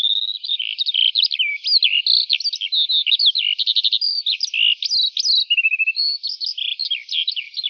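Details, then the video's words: Eurasian skylark in morning song, delivering an unbroken cascade of high, liquid chirps and slurred whistles, with quick stuttering runs and a short buzzy note midway; nothing else audible. "Жайворонок Голос Ранку"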